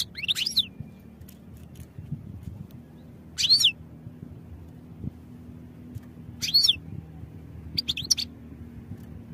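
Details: European goldfinch song for training: four quick phrases of thin, high twittering notes sweeping up and down, separated by pauses of roughly three seconds, with a soft low hum throughout.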